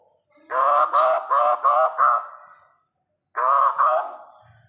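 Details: Hooded butcherbird chick calling in quick series: five harsh, buzzy, nasal notes in a row, a pause of over a second, then two more the same.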